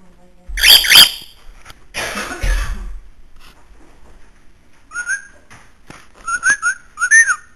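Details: Pet bird kept indoors upstairs in a house in Illinois: a harsh, broad squawk first, then after a pause a run of short whistled notes, each rising then falling, several in quick succession near the end.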